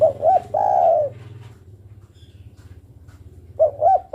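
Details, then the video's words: Calling for a male, a female spotted dove gives a phrase of two quick coos and a long sustained coo, then starts another phrase after a pause; a low steady hum runs underneath. "Suara burung derkuku betina memanggil jantan"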